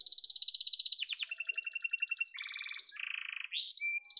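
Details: Yellow domestic canary song made of fast pulsed trills at changing pitches, dropping to lower buzzy rolls, then a rising whistled slide and short high notes.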